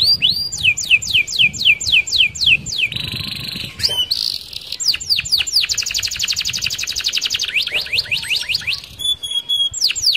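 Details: Canary singing a fast rolling song meant to lure other canaries: series of high falling whistled sweeps, a buzzy trill, then a long rapid roll of repeated notes and more down-slurred sweeps.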